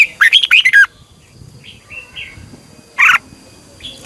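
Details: Red-whiskered bulbul in training, singing a short bright phrase of rapid warbled notes near the start, then a single loud burst at three seconds, with soft twittering between and a faint steady hum.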